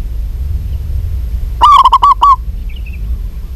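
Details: One burst from a female zebra dove of a local strain calling a male: several rapid, short hooting notes in close succession, the final one slightly drawn out, over low steady background noise.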